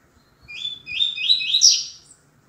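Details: Tui tui zel zel song of a Double-collared seedeater in deep "grosso" style, a master singer for teaching males: a rapid chain of rising whistled slurs building in loudness to a bright, sharp final note.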